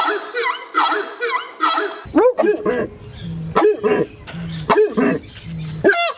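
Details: A horned screamer (Anhima cornuta) reacting to the presence of other animals or humans gives loud, harsh, strident, metallic honking alarm calls, each rising then falling, about once a second, alerting other individuals and intimidating potential threats.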